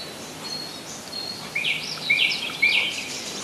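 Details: Common nightingale at Rassudovo, around 40 km from Moscow, July 2011: after a quiet start, a high buzzy warble of quick slurred notes rises out of a steady hissing background.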